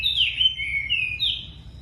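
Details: A wambi, very tame and singing actively, gives a short phrase of clear, high whistled notes that dip and rise smoothly, one flowing into the next, over a faint low hum.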